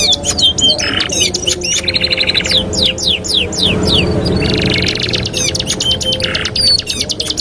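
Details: Canary singing, a master song for training canaries: quick slurred swooping notes in series, harsh buzzy blocks and fast trills, varied and tumbling, backed by low hum.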